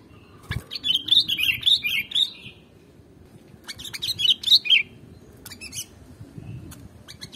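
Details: Two bubbly phrases from a sooty-headed bulbul (kutilang), a sound used for luring birds: a longer run of wavering chirps, a pause of about two seconds, then a shorter run of three or four notes.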